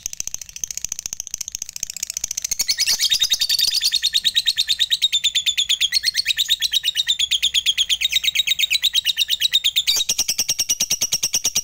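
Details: Fighter lovebird chatter of the long ngekek kind, meant to provoke silent lovebirds into song: scattered chirps building after two seconds into a loud, fast, even burst of high rasping notes lasting to the end.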